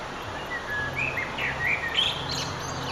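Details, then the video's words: Sunset song of a Eurasian blackbird, 9 June 2011: a run of soft, mellow whistled notes with small warbled turns, set against constant low background hum. "Blackbird's Song & Eastern Sunset"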